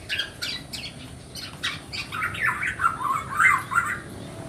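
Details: Calls of a black-naped oriole chick begging to attract its parents: a string of short hoarse notes that becomes a continuous, rising and falling rasping chatter.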